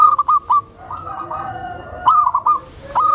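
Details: Tame zebra dove giving a soft call used to lure other zebra doves and to settle newly acquired birds; quick bursts of short, clipped mid-pitched coo notes, with a faint rattling background.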